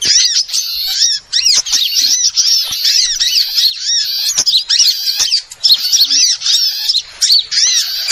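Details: Small birds calling in a trapping lure: loud, high chatter of chirps and rising-falling twitters, mostly nonstop with a couple of brief breaks around one and five seconds.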